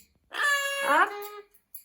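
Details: Indoor pet Amazon parrot replying hello when prompted: a single smooth, tonal word about a second long, steady then bending upward and falling, clearly harmonic.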